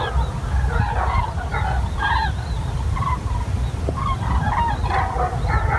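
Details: Flock of common cranes near Wiesbaden-Auringen in Germany giving scattered bugling calls, several birds overlapping in short bursts, with constant low-pitched background rumble.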